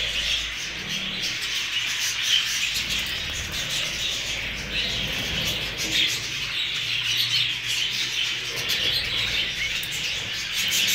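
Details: Hogoromo budgerigars, recently acquired, fill the air with unbroken, busy chirruping and warbling, high and scratchy, with occasional sharper squawks and a soft low droning hum running throughout.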